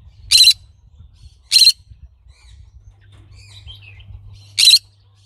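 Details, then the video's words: Green-cheeked conure giving three loud, harsh broadband squawks, short and spaced about a second or more apart, over a faint low hum. "Green cheek conure bird sounds"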